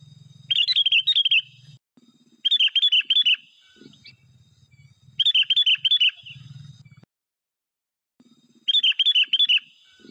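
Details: Bulbul in the wild giving four separate bursts of lively, bubbling chirps, each burst about a second long and spaced roughly every two to three seconds, with a soft low rumble between them.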